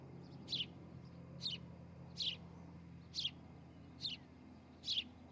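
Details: At a Montana nest in Charlo, July 2018, in the morning, a nest camera catches an osprey giving six evenly spaced, high, piercing chirps, each under a second apart, against a soft background hum.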